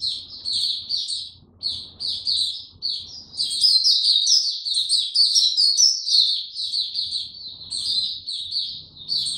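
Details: White-eye kept without health supplements, recorded 29 April 2022, starting to sing: short bursts of high chirps that swell into a dense, unbroken twittering warble with quick sweeping notes.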